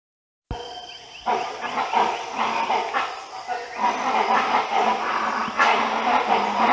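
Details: Great hornbills in the Western Ghats of India, a flock moving from one place to another and calling to one another, recorded on a Nikon Z9: dense, overlapping, raucous broadband calls, harsh and continuous, swelling louder after the first second.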